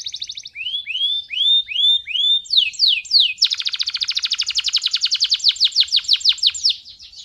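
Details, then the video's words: Male canary in full song, meant for tutoring young canaries and exciting females: a buzzy burst, a series of rising whistled slurs about every half second, then a long rapid rattling trill. "اقوى تغريد ذكر كناري حامي نار 🔥 ولا اروع للتسميع صغار الكناري وتهيج الاناث"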